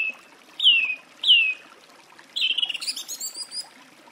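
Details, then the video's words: Song thrush singing: two loud descending whistles repeated, then a varied phrase of rapid high twittering notes. "Голоса птиц. Дрозд певчий (Turdus philomelos)"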